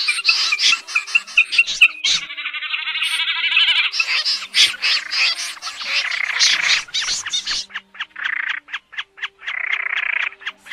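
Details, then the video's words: Snipe calls used as a lure for night net trapping in August 2024: harsh rasping buzzy notes, a long grating buzz near the start, then rapid clicky pulses and short rasping bursts repeated quickly, with no background noise. "Tiếng SÂM GIUN , Dẽ giun"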